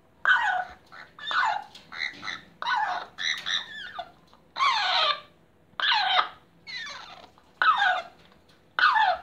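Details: Blue-and-yellow macaws queuing for food give about ten loud, harsh, raucous squawks, roughly one a second at an uneven pace, with a faint background hum.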